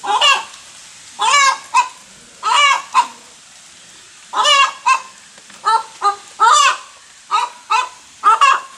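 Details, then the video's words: Hen making noise after laying an egg: loud, rasping squawks in spaced bursts, some paired, roughly one every half to one second, with short quiet stretches between. "Hen makes noise after laying egg"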